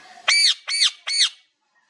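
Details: Mimicked meows from a parrot: three loud, arched, rasping calls about 0.4 seconds apart with rich harmonics.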